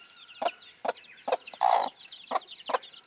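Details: Broody bantam hen with chicks: a few loud, deep clucks spaced about half a second apart, one longer drawn-out cluck in the middle, and faint high chick peeping in the background.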